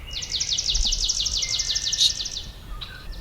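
Swamp Sparrow song: an even, musical trill of about six sweet notes a second, holding one pitch and pace throughout, with a soft low rumble behind.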